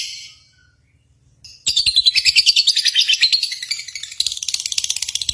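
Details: Lovebirds in a bird-singing competition: after a quiet start, a dense, rapid chattering song of high, buzzy trills pulses about three times per second, rising and falling, then turns sharper and faster near the end.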